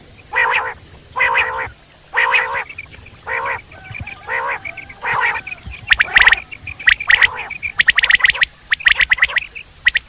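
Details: Common quail in the wild; broad nasal harmonic bursts dominate the first six seconds, then sharp three-note quail phrases ring out repeatedly toward the end, mixed with further bursts.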